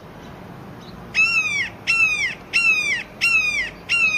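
A Red-shouldered Hawk gives five loud, harsh kee-ah screams, each slurring downward, repeated about every 0.7 seconds over a soft background hiss.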